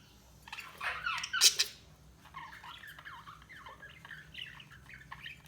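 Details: Budgerigar chatter with a loud harsh squawking burst around one to one and a half seconds, then softer rising-and-falling warbled chirps continuing quietly.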